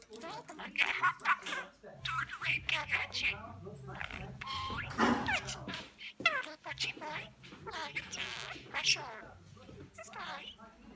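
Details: Pet budgerigar (Melopsittacus undulatus) named Jack chatters in a fast, scratchy warble of squeaks and clicks that sounds almost like speech.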